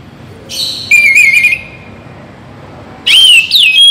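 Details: Oriental magpie-robin of the kacer bagong type, morning and evening song used to rouse other songbirds; loud, clear whistled phrases with slurred, warbling notes come in two short bursts separated by a quiet pause.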